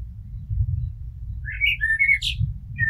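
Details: A blackbird's fluting strophe over a low rumbling background: a few rising whistled notes, a sliding mellow phrase, and a sharp high squeaky ending.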